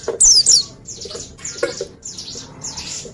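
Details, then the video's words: Oriental white-eye (pleci) in lively song: two loud, high, quickly descending double chirps open, followed by a series of softer, hissy downward sweeps repeated roughly every half second. "Dengar Suara Burung Pleci Ini"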